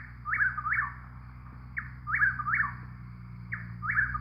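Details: Chuck-will's-widow singing. A clear whistled phrase repeats about every 1.7 seconds, each one a short note followed by a rolling two-part slurred ending, over a low steady hum.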